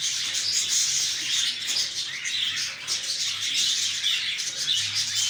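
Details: Continuous noisy twittering of lovebirds. Dense, sharp high chirps overlap into an unbroken chorus with little change in volume.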